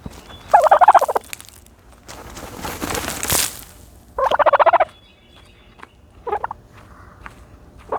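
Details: Dust-bathing turkey: two strong rattling, pulsed bursts separated by a loud scraping rush of dirt, then a few shorter, fainter pulse groups.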